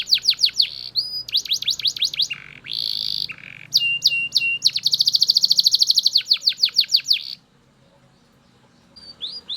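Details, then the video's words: A Belgian canary sings loud, high, rapid trills and repeated sweeping notes, with buzzy rolled phrases between, then a brief pause before resuming. "Super Loud Belgian Canary Singing"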